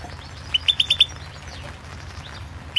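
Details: European goldfinch of the Carduelis Balcanica form, competition entry in the 2016 internet World Championship in Goldfinch Song; a quick run of five short, bright chirps, then a pause and one lone note, over low steady hum.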